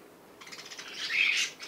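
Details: Baby cockatiel during playtime: a soft scratchy start swelling into one loud, grating squawk that fades quickly.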